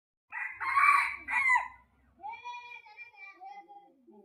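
A junglefowl crows once: a loud, harsh two-part burst, then a long, thinner, wavering tail that slowly falls in pitch.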